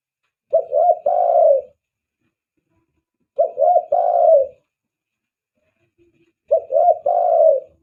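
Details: Spotted dove giving its lure coo used to attract other doves: three clear phrases about three seconds apart, each two quick rolling coos then a longer, falling, drawn-out coo, in an otherwise quiet setting.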